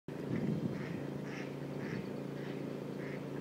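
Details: Eurasian coot (Fulica atra) at Stromovka park, Prague, on 14 February 2016, giving short, sharp, nasal notes about every half second, over a steady low hum.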